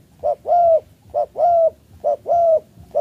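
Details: Spotted dove from Malaysia cooing, a short note followed by a longer, level, hollow coo, the pair repeated three times at a steady pace in a quiet setting.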